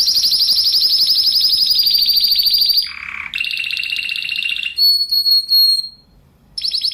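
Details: Spanish Timbrado canary song used as a training recording for other canaries: a long tight rolling trill, a brief lower rattle, more fast rolls, then clear steady whistled notes before another trill.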